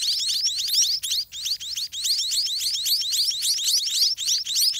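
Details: Hungry white-rumped munia chicks in their nest call for food from the parent birds, a frantic run of sharp, high-pitched chirps, each curving downward, repeated several times a second with hardly a gap.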